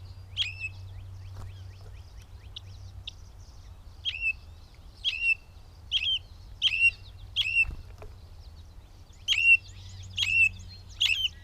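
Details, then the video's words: Gray catbird recorded at Bowdoinham, Maine, 16 May 2020, giving short sharp chirped notes that drop in pitch, repeated roughly once a second in uneven bursts, with a faint low hum underneath. "The many sounds of the Catbird"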